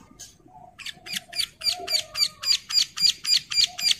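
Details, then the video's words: Bar-winged prinia in breeding condition calling to other females, which answer: a rapid series of about thirteen buzzy, high, scratchy notes, nearly four per second, growing louder through the sequence, with faint low tones beneath. "CIBLEK SAWAH BIRAHI GACOR MEMANGGIL BETINA YANG LAIN IKUT NYAUT"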